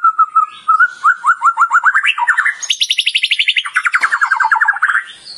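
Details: White-rumped shama, a champion contest bird: a low whistle leads into quick repeated notes rising step by step, then a loud high trill falling back down in rapid pulses.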